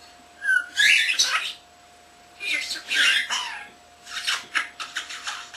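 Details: Pet common starling not yet a year old chatters indoors, imitating words and household sounds: three bursts of scratchy, speech-like syllables with brief whistled slurs, separated by short silent gaps, over a constant low electrical hum.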